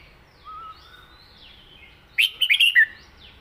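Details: {'text': 'Red-whiskered bulbul kept in a cage delivering one southern-style song phrase, a rapid string of five crisp, bouncy whistles, preceded by soft faint calls of distant birds.'}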